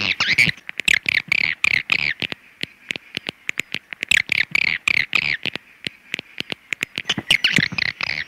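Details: Swiftlets calling in repeated bursts of high chirps and twitters, broken by brief pauses and sharp clicks, about nineteen bursts per minute.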